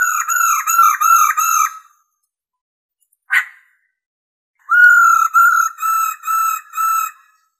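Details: Stimulating song of a female black-throated laughingthrush: bouncing series of repeated whistled loops, a brief sharp click-like note, then another run of five steady whistled notes.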